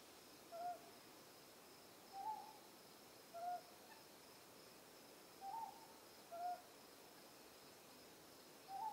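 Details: A Ryukyu scops owl on Ishigaki Island, recorded at night at close range, gives short, mellow hoots, some slightly upslurred, spaced every one to two seconds, over a faint steady insect hiss.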